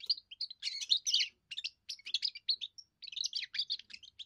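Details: Young European goldfinch giving its first song, used to defend territory and attract females: rapid twittering phrases of buzzy chirps and trills, high-pitched, broken by short pauses.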